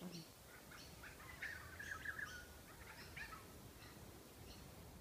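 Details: Begging kookaburra chicks in Noosa, Sunshine Coast, Queensland, Australia, squawking while an adult arrives with a lizard: faint scratchy squawks that build into a brief burst of harsh, strained notes midway, then trail off.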